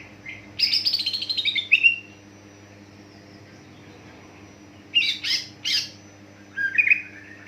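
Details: Greater green leafbird song played to set other leafbirds singing: a quick chattering trill dropping in pitch, a long pause, three harsh bursts, then a short whistled phrase; low hum throughout.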